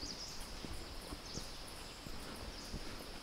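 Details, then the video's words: Great Hornbill in flight over Western Ghats forest at Nelliyampathy Hills, Kerala, India: deep, rhythmic whooshing wingbeats, a soft thump every fraction of a second, with a steady high insect hum behind. "Great Hornbill Flying Sound"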